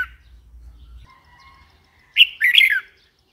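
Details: Red-whiskered bulbul giving one brief, lively warbled phrase of quick chirping notes after a second of quiet with faint low noise and a soft thin whistle.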